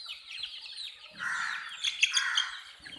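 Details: A short burst of chick peeps: fast, thin, falling chirps giving way to a louder, fuller cluster of high notes near the end.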